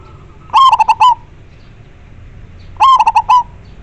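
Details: Clear, strong-voiced local zebra dove, a lure bird for catching wild doves, sings two identical phrases a little over two seconds apart, each a rapid run of five staccato coos ending in a brief trailing note.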